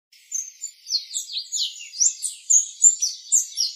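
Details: Orange-headed tanager (Thlypopsis sordida) giving a fast run of thin, high chips and twitters, about three notes a second, uneven in pitch and spacing.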